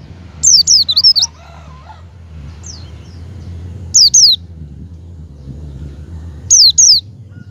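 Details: Javan white-eye lure call to get a kept white-eye to open its beak: an opening rattle of quick descending whistles, then two spaced pairs of sharp, high falling notes over low rumbling background.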